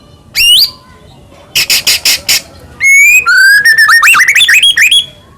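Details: Singing White-rumped shama recording for provoking rival shamas into song: a sharp upslurred whistle, a burst of four harsh rasping notes, then a rapid rising series of bright warbled whistles.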